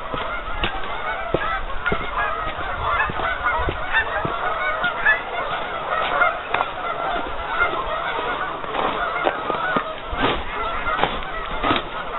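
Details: A large flock of geese on a partially frozen lake gives overlapping nasal honks throughout, mixed with sharp knocking or cracking sounds at irregular intervals.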